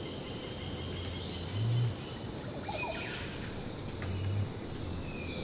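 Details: Male Great Curassow in Costa Rica giving its deep courtship song to attract a female: very deep, humming booms, each about half a second long and a few seconds apart, under a steady hiss of insects and faint chirps of other birds.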